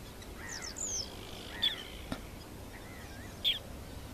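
Ruddy turnstone giving two sharp, high clipped notes about two seconds apart, with fainter sliding whistles, a single click and steady low rushing background noise.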